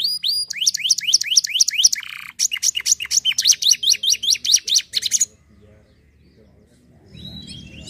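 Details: Canary song: fast, bright trills of repeated swept whistled notes for about five seconds, then a sudden near silence with a few faint high notes and soft background noise.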